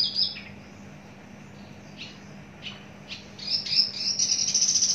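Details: Long-kept caged Javan bush lark giving a few spaced, falling chirps, then a rapid, even, high trill over the final second, against a low steady hum.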